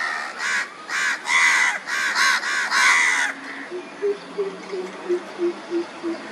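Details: Andaman coucal, Andaman Island, India, March 2020: several loud, harsh, rasping calls in quick succession, followed by a steady series of deep, resonant hoots spaced about a third of a second apart.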